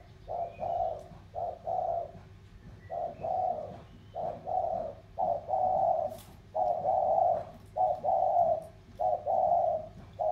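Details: Spotted doves of the 'thổ' type from Sóc Trăng and Cam Ranh in a cooing duel. Hollow low coos roll on continuously for ten seconds, with some phrases lengthening into drawn-out notes. Faint background chirps are heard.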